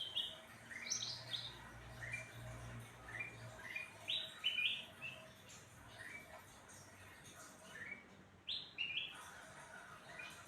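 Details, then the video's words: Cucak ranting singing after being fed crickets and sunbathed: short bright rising whistled phrases, sharp upswept notes repeated in bursts every second or so, with a low steady hum beneath and faint background noise. "Burung cucak ranting jadi gacor habis dikasih jangkrik + jemur"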